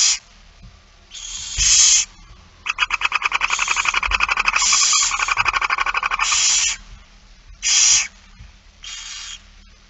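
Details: Barn owl feeding, Friesland, Netherlands, 8 September 2019: hissing begging screeches interrupted by a long, fast rattle of ticking notes lasting several seconds, then more screeches at irregular intervals.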